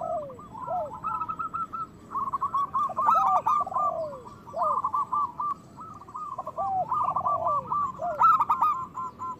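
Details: Zebra dove song, local birds, played to get reluctant doves singing and breeding: fast rattling cooing notes in overlapping runs, loud harsh bursts, with lower descending coos underneath.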